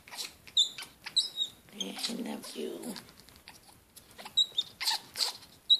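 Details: Pet Congo African grey parrot in heat, making high thin squeaky whistles and chirps in short bursts, with a low murmuring voice-like passage in the middle.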